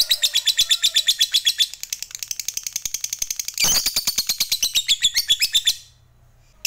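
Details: Lovebird fighter in 'ngekek panjang', a long chattering song used to provoke other lovebirds to sing: rapid high buzzy notes about four per second, a harsh louder stretch midway, then an abrupt stop.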